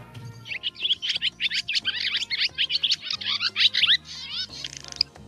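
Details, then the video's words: Barn swallow song: a rapid, continuous twittering of chattering notes and high squeaky trills, with a soft low musical hum underneath. "Spectrograms are really useful for identifying birds by their songs, such as this barn swallow."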